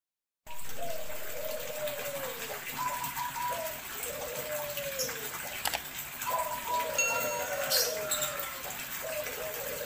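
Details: Male dove courting a female: soft arched cooing notes repeated several times, each rising and falling, over a noisy background with some clicks and rustling.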